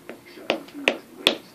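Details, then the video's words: African grey parrot mimics a hammer with three sharp, bright knocks about every 0.4 seconds, each a crisp click with a short ringing tail, then swears. "Bird immitates a hammer"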